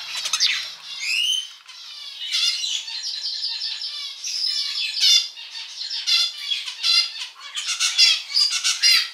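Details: Pet male zebra finch singing indoors: a dense run of buzzy, nasal harmonic notes with a quick rising sweep near the start, then rapid chattering phrases continuing without a break.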